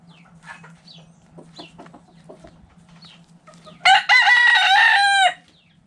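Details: Backyard rooster crowing loudly: a harsh, drawn-out cock-a-doodle-doo lasting about a second and a half near the end, after soft hen clucks and scratching sounds in the dirt.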